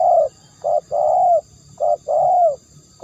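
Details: Spotted dove cooing: low, mellow hoots in a phrase of short and longer notes, a brief coo followed by a drawn-out one, repeated with short pauses.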